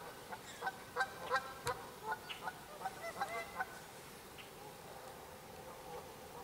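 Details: Canada geese honking at an angry mute swan: a burst of short nasal honks in quick succession over about three seconds, then quieter, against steady outdoor background noise.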